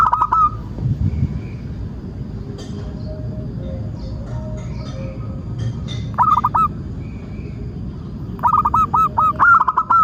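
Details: Zebra dove singing as a lure for other doves: opening coo phrase, a quiet stretch with faint soft tones, then two more phrases of rapid repeated cooing notes later.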